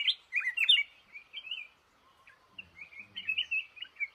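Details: Male red-whiskered bulbul held in a trap in a cashew garden opens with a loud chattering burst, then quieter fluty, wavering notes after a brief pause.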